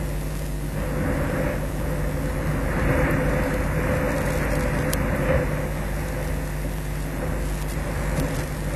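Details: Continuous broadband rumble of wind and traffic-like noise outdoors, with a few faint clicks and no distinct animal calls.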